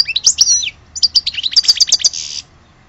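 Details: Short, dense phrase from an Algerian European goldfinch: sliding whistled twitters, quick chattering notes and a closing buzzy rasp.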